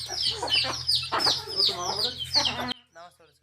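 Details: Baby chicks in a field with a hen: steady high-pitched cheeping in quick overlapping bursts that cuts off abruptly, followed by a few faint softer sounds.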